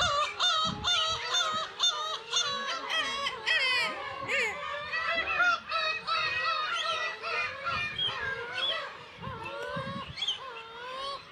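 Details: A dense chorus of black-tailed gulls at the Kabushima breeding colony, Hachinohe, Aomori, Japan, on 10 June 2020 in early summer, when chicks are present: many overlapping nasal, cat-like mewing calls, rising and falling, several a second.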